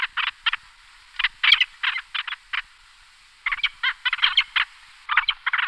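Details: Peregrine falcon giving harsh, raspy notes in rapid bursts of three to six, with short pauses between series and a quieter gap midway; no other clear sounds.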